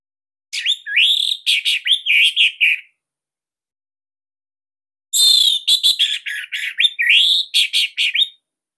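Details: Captive Bali Orange-headed thrush in loud song used to coax silent birds into singing: two bursts of rapid, upslurred whistles and rattling chips separated by a two-second pause.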